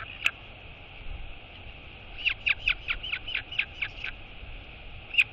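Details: Royal albatross chick, recorded 23 August 2022, waking as its mother arrives to feed it and greeting her with wheeing: a quick run of high, short chirps, then single chirps at the start and end, over steady background hiss.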